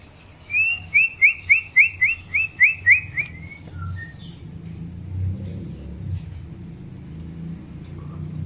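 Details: Long-tailed white-rumped shama during the pairing process for breeding: a run of nine quick, bright upslurred whistles at an even pace, then a lower slurred note and a short high twitter over a low background hum.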